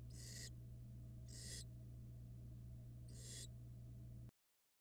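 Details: Barn owl nestlings in a nest box on a live nest camera, hatched from February 2022: three harsh, broadband hissing bursts, each about half a second long and spaced irregularly, over a steady low electrical hum.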